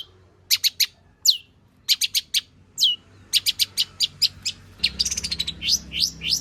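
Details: Long-tailed shrike (pentet) singing full-material song, used to coax other shrikes to sing. Clusters of sharp clicking chips and a downslurred whistle end in fast, jumbled twittering.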